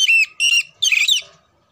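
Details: Oriental magpie-robin (kacer) song, used to train birds for singing contests: three loud, harsh, buzzy squawking notes with rich overtones, the last longest and most grating, with short silent gaps between them.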